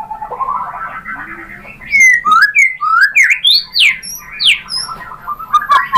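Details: White-rumped shama singing as a lure for other shamas: a soft warbling start, then loud, rapid downward- and upward-swooping whistles, each slightly different, in quick succession.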